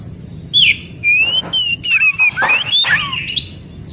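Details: White-rumped shama in forest, its song played to stimulate other shamas: loud clear whistled notes at intervals, some slurred downward, mixed with short harsh chatters.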